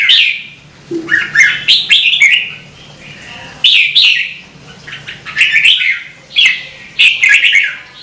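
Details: Red-whiskered bulbul singing, kept to rouse singing; phrases of slurred, liquid whistles in groups of two or three, separated by brief pauses, with a faint low hum.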